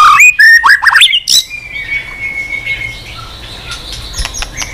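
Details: Brief burst of white-rumped shama song, a tireless singer with many voices: quick clear whistles and sharp chips in the first second, followed by a long thin whistle fading into a quiet background.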